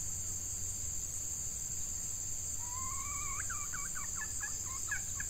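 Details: Red junglefowl at a decoy session, a female used to lure wild males during hot breeding-season weather; a rising drawn-out note breaks into a choppy run of hoarse syllables, over a steady high insect drone and low hum.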